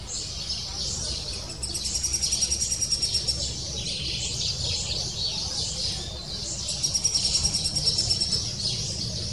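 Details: Lesser spotted woodpecker chick in the nest, calling insistently to its parents as the female arrives to feed it, the chick excited by her presence; rapid, high, evenly pulsed chattering bursts, two runs of about two seconds each, over a low background rumble.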